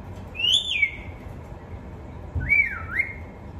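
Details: A talking parrot whistles two clear, pure notes: the first rises and slides down, the second dips in a wavy curve before rising again. A soft thump sounds between them.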